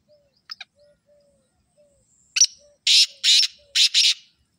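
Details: Black francolin calling: two soft clicks, then a loud harsh phrase of a sharp note followed by two paired grating, buzzy bursts, with a faint steady low whine in the background.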